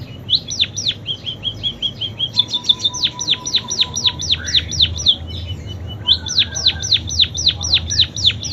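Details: Munia with a song full of canary imitations: sharp falling notes, a short thin trill, then long rhythmic runs of high slurred whistles, a brief pause and another fast series.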